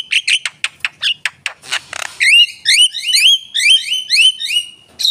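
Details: Energetic Javan myna song: quick sharp clicks and chips, a brief rattling hiss, then a steady series of loud, rising whistled upslurs with bright harmonics.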